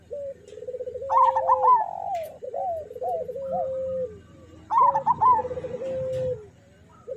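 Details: Several local zebra doves (perkutut) heard on master song used to train doves: loud quick trilled coos repeated twice over lower, longer sustained coos from a second bird.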